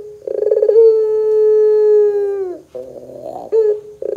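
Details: Puter dove, pelung style, on a lure track to stir doves into song: a quick stutter leads into a long level coo sliding down at its end, then a lower wavering roll, a short note and fresh stutters.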